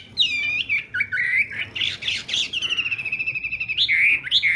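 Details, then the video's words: Chinese hwamei in morning song practice, delivering varied whistles, a burst of harsh rasping notes, then a fast rattling trill and more clear slurred whistles against a faint background hiss. "hoạ mi hót sáng luyện giọng"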